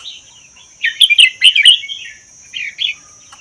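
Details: Red-whiskered bulbul, a wild bird from the Vietnam–Laos forests caged for a year, gives a loud, bubbling burst of warbled notes, then two softer phrases. A steady high-pitched tone runs underneath.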